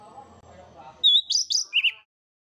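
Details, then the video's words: Chestnut-backed thrush (anis macan) giving a quick burst of loud, high, whistled song, four bright slurred phrases in about a second after a moment of low voice; its voice is varied and loud. "Anis macan memiliki karakter suara, yang bervariasi dan lantang."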